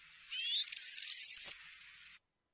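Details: European serin, cante campero field song: a single phrase of about two seconds, beginning with a high buzzy trill and ending in three soft separate chips.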